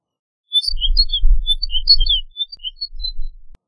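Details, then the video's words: Snow bunting song: a quick run of short, clear, warbling notes, some sliding, at a lively pace over a low rumble of wind. "Snow Bunting Song! Snow Bunting Call!"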